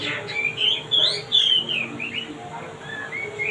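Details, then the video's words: Actively singing male wambi delivering a flowing series of clear whistled notes, sliding upward and downward, with sharp high accents, against a faint steady hum. "Suara merdu Wambi Jantan..gacor"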